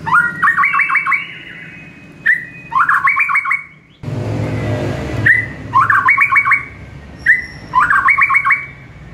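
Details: Master song of a White-rumped shama in the morning, for teaching caged birds: whistled lead notes, each followed by a rapid sparkling trill, the phrase repeated four times, with a brief rush of broadband noise in the middle.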